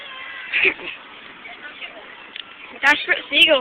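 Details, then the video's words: Seagulls behaving strangely, giving harsh, nasal, meow-like calls with sliding pitch, in two clustered bursts near the end after a quieter stretch with a faint early call and low background hum. "Crazy Weird Seagulls"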